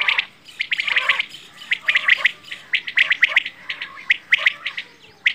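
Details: Quail, called bedana or batair, giving rapid high chirps in uneven bursts, the bright notes overlapping as if from several birds, with short gaps between the clusters.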